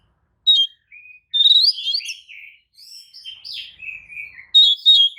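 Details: White-rumped shama singing a provoking lure song, meant to trigger replies from other shamas: fluted whistles, slurred warbles and sliding notes in varied phrases separated by brief silences.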